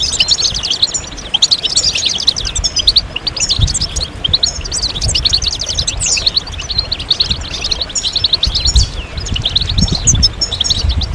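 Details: European goldfinches chirping as a group, calls meant to draw males out of silence into song. Steady streams of high twitters and quick trills continue throughout, with low thumps scattered underneath.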